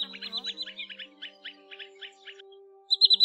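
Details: Common greenshank lure recording for drawing in birds, a flock call: a run of about ten short, sharp high notes evenly spaced, then a louder burst of three quick notes at the end, over a steady low humming drone.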